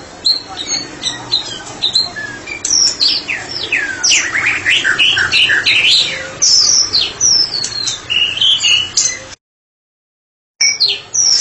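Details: White-rumped shama, a therapy-specialist bird, singing loosely in full voice: rapid varied whistles, sweeping slurs and chattering notes packed densely high in pitch, with a short gap of silence near the end.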